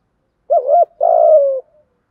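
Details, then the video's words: Spotted dove coo in the thúc gù urging style from male and female birds, used to stimulate wild doves: two arched, hollow low notes, then a longer throaty coo sliding gently downward, with a clean silent background. "tiếng chim cu gáy thúc gù bài bản, ra bài liên tục"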